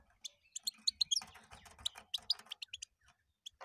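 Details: European goldfinch delivering a quick run of sharp, bright chirps with a harsh scratchy passage in the middle, trailing off into a few isolated notes.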